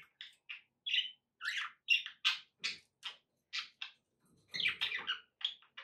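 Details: Pet budgerigars chattering in a steady series of short, buzzy chirps and squeaky notes, roughly three per second, with a denser scratchy jumble toward the end.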